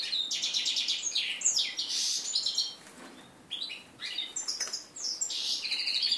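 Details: Mule from a red-breasted flycatcher and canary pairing, 2013 bird, first post-moult song on 11 January 2014: repeated high twittering phrases of buzzy trills and whistled slurs with brief pauses between them.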